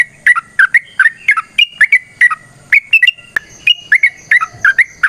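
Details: Sooty-headed bulbul in full fighting song, used as a lure for other bulbuls: paired and tripled bright whistled notes tumbling up and down, with one sharp click midway and a faint steady hiss-tone above.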